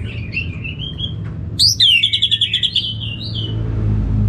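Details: Orange-headed thrush warbling a rising whistled phrase, then a loud fast burst of about ten repeated chirping notes sliding downward, finishing with a higher whistle; steady low rumble behind.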